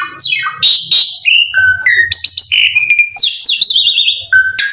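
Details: Asian pied starling song used as a lure to get other starlings singing: a busy run of loud whistles, harsh buzzy notes and rapid sliding phrases, with steady clear tones mixed in and a faint low hum underneath.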